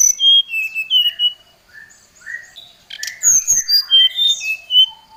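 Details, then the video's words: Oriental magpie-robin singing to challenge a rival, a lure recording: loud whistled phrases of clear slurred notes at varied pitches, some high and thin, in bursts with short pauses and a few buzzy notes. "Suara Pancingan SRDC Gacor | srdc memanggil lawan | srdc gacor Emosi"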